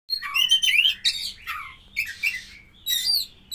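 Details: Oriental magpie-robin of the kacer poci type, a captive champion bird in a breeding-pairing setup, gives a varied phrase: bright whistled slurs and rising notes, then short scratchy bursts in separate groups over a faint low indoor hum.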